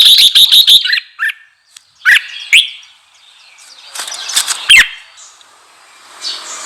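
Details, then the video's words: Red-whiskered bulbul singing to provoke wild birds: a fast burst of five bright chirps, then scattered short whistled notes and a cluster of sharp calls, with a faint hiss near the end. "GIỌNG CHÀO MÀO KÍCH BỔI _ KÍCH CHÀO MÀO BỔI CĂNG LỬA"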